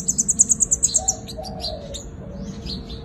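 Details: Five-coloured sunbird fighting song used as a decoy: a fast run of about ten piercing, evenly repeated high notes, followed by softer, lower chirps and a faint tonal hum.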